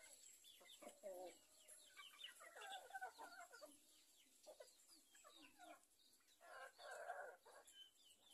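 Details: Free-range village chickens raised on a farm in Indonesia: many birds clucking and cackling together, with a louder burst of squawks near the end and a constant high background hiss.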